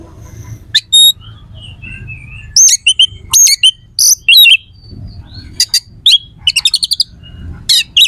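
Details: Oriental magpie-robin singing harsh, sharp, varied phrases, a recording used to provoke rival magpie-robins into agitated, persistent singing for contests. Bursts of high piercing chirps and buzzy notes, then a rapid run of about six ticking notes, over a faint low hum.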